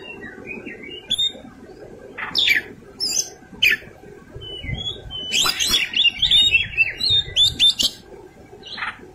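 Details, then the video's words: Fighting-style song of a kacer, the Oriental magpie-robin, loaded with fill-ins: scattered sharp chirps building into dense runs of rapid whistled and trilled notes, phrases repeating several times per second near the end. "Kacer gacor tarung isian mewah"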